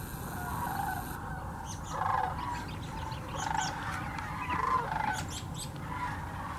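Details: Thousands of sandhill cranes that migrate each year to the Hiwassee Wildlife Refuge in Birchwood, Tennessee, filmed with a GoPro Hero 9 and Canon Powershot; overlapping rolling calls from a large flock rise in bursts over a steady low rumble, with some higher chirps.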